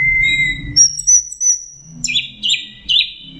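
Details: Orange-headed thrush, a lively full song with mixed phrases used as a training recording for songbirds: a long steady high whistle, then a string of buzzy, slurred notes repeated roughly three times a second, over a low hum.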